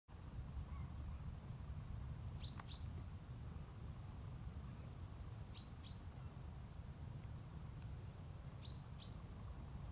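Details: Great grey shrike (Lanius excubitor), 12 November 2011, giving short, high, sharp notes in quick pairs about every three seconds, over a steady low rumble of wind or distant traffic.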